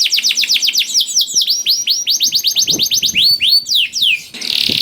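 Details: Lively canary singing, used as a prompt to get slow or silent canaries singing: long run of quick repeated upswept whistles changing into slower arched notes, ending in a buzzy trill.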